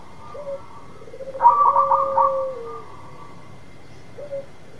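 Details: Local zebra dove in strong song, used to prompt another dove to sing. A short low note leads into a loud cluster of quick stuttering notes, then a long, falling coo and a final short note. A low hum persists.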